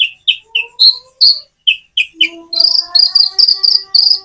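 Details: Common iora, natural-pause song meant as a lure: evenly spaced high chirped notes over thin lower whistled tones, building to a quicker, denser series of chirps at the end.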